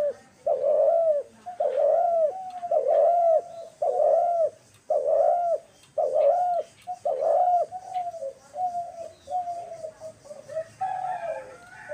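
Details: Dove recorded on March 28, 2024, producing a regular series of loud, hooked coos about every second, then softer, trailing coo notes near the end.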